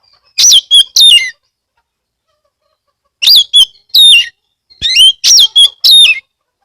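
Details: Kacer, the Oriental magpie-robin, recorded in Kebumen, Central Java, as a loud lure to set other magpie-robins singing; clusters of two or three sharp, chattering, downslurred notes, separated by pauses of about two seconds.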